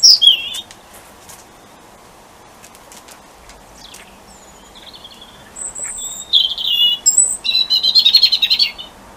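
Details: On the winter solstice a robin sings its territorial song all night under a street light. After a quiet stretch, scattered high thin notes lead into a run of quick, rich, trilling phrases that grow louder toward the end.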